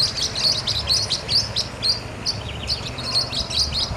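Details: Blue-winged parrotlets (Forpus xanthopterygius) give a rapid stream of high, sharp chirping notes at about two per second, overlapping as if from several birds, over a low rumbling background.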